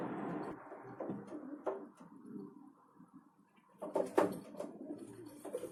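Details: Urban pigeons in winter in Ukraine, several birds crowding and competing for food at a feeder; low cooing phrases mixed with wing flutters and scuffling, louder clattering bursts near the end.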